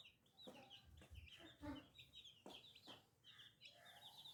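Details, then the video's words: New little chicks cheep in quick high bursts, mixed with sharp tapping and thumping noises and a few lower clucks from an adult hen. "Chicken Free Sound || Funny Chicks baby"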